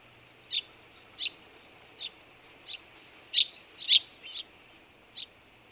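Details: Partially albino Eurasian tree sparrow calling: short, bright chirps spaced roughly every half second to second, a few louder doubled notes in the middle, over a quiet hiss.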